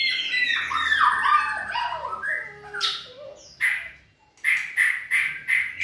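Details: White-rumped shama trained for singing endurance: a tumbling, varied warble that fades into scattered notes, then five evenly spaced sharp chip notes in the final two seconds, with faint low hum.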